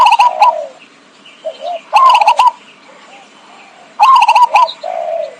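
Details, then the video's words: Trapping lure of zebra dove song. Three phrases about two seconds apart, each a fast rattle of coo notes followed by softer, lower drawn coos. "suara pikat burung perkutut"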